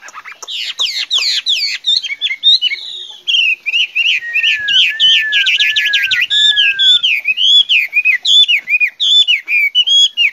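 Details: Chinese hwamei singing a long, varied song: rich looping whistles and rapid rising-falling notes, a few long slurred downward whistles in the middle, then bright repeated phrases continuing without pause.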